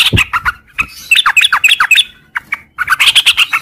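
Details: Morning 'ngropel' song of a sooty-headed bulbul: rapid tumbling series of slurred whistles and chirps, a brief lull with single notes, then another fast, bright run. Occasional low thumps.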